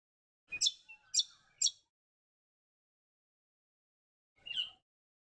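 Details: Varied honeyeater (Gavicalis versicolor) in Cairns, Queensland, where it is seen in blossoming trees along the Esplanade, gives three loud, bright, ringing notes in quick succession, then a single matching note after a nearly three-second pause.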